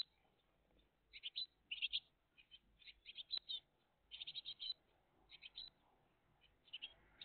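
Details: Morning at a great tit nest, 20 June 2023: many short, high, scratchy chirps in uneven groups, some loud, some faint, over a quiet background.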